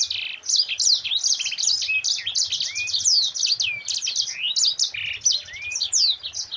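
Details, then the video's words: Yellow-fronted canary (sanger) in a continuous rapid ngerol song style, used as a master song for training other birds: a dense, unbroken stream of high chirps, trills and upslurred whistles with a few longer rising slides. "Suara Burung Sanger Gacor NGEROL RAPAT"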